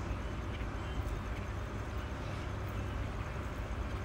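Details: Continuous low traffic rumble in an outdoor setting, with no animal calls.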